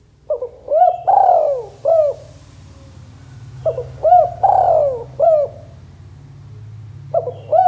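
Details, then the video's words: ['Male spotted dove giving a lively call used as a lure to provoke other doves into calling; soft hollow coo phrases, a short note, a longer drawn coo, then a short note, repeated in three bursts over low background hum.'] "Suara Tekukur Jantan Gacor Dor Cocok Untuk Pancingan Tekukur Bahan Bakalan Auto BUNYI"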